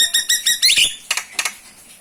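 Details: Common myna of the subspecies Acridotheres tristis tristis: rapid repeated harsh, scratchy high notes building to a loud grating burst, then two brief sharp notes.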